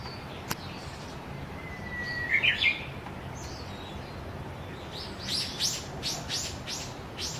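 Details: Japanese bush warbler singing in a forest in front of a house, unseen but very close: a long thin whistle that ends in a quick warbled flourish, then a series of sharp high notes, over a steady background hiss.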